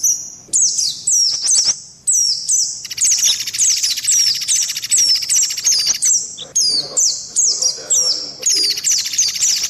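High, thin white-eye notes sweeping downward, repeated rapidly and overlapping into a dense chatter, with several birds seemingly calling together.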